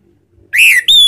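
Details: Orange-headed thrush (Anis Merah) ngeplong lure sound used to set off singing: a single rich whistle rising then sliding down, followed by a higher steady whistle.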